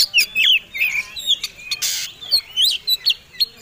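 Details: Fighting-type Oriental magpie-robin combination song, meant to goad other birds to sing: a few scattered whistled slurs and upward sweeps with brief gaps, plus one short burst of hissing noise midway.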